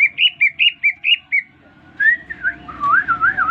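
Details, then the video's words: Freshly bought greater green leafbird responding to whistling with song: a rapid series of six bright, wavering chirped notes, a brief pause, then rolling, warbled whistles sliding up and down. "Cucak Ijo Gacor baru beli kena siul langsung ngoceh"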